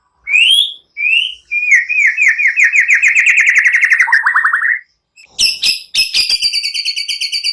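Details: Lively white-rumped shama singing as a lure to get other shamas singing: rising whistles leading into a long, fast, slightly rising trill, then a brief pause and dense repeated buzzy notes.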